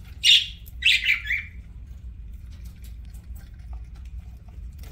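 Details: Budgie chirping while eating: a sharp chirp followed by a descending scratchy call, then quiet room hum.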